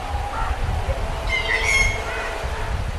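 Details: A single drawn-out, ringing harmonic rufous treepie call in the middle, over steady low rumbling background noise.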